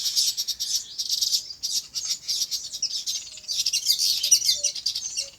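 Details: Birds in their natural habitat on a farm: a rich, continuous chorus of high, rattling chirps and twitters in waves, with a few soft, low, short notes near the end.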